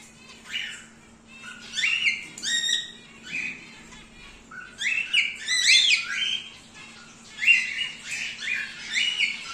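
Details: Wild-type grey cockatiel breeding pair calling in clusters of raspy, buzzy squawks, several rapid notes per burst with pauses between groups, louder toward the end; constant low hum behind.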